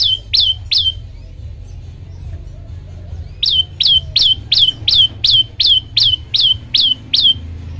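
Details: A tailorbird's song to spur other birds into singing: three ringing notes, a silent stretch of about two seconds, then a steady train of twelve loud, high, clipped chirps at about three per second over a low background rumble.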